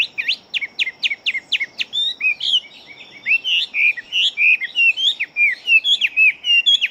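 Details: Big-bodied fighting Chinese hwamei singing very rapidly: a fast series of identical sharp upward-swept notes, then a tumbling, varied run of loud whistled slurs and trills without pause.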